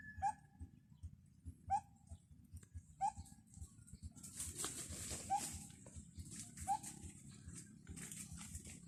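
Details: A bird calling from high in a tree, heard on the way out to cattle: short sharp chip notes repeated about every one and a half seconds, with a burst of hissing rustle midway and soft low thumps underneath.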